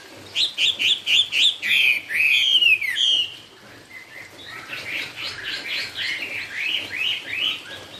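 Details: Chinese hwamei song in the 'cao cầu' style: a fast run of loud, clear whistled notes repeated rhythmically for three seconds and ending in a descending slur, then a softer, rapid series of upslurred notes.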